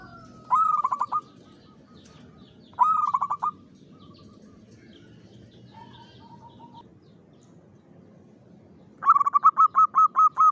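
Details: Zebra dove lure song, local bird, Mataram rhythm style: several short bursts of fast coos spaced a couple of seconds apart, a softer run mid-way, ending in a loud, steady series of about eight notes.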